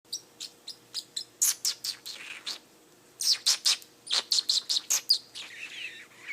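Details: Pet parrotlet talking: rapid bursts of sharp, clicky chirps in quick clusters, a pause, then more clipped chirps and a rougher, buzzy chatter at the end, with a faint steady hum underneath.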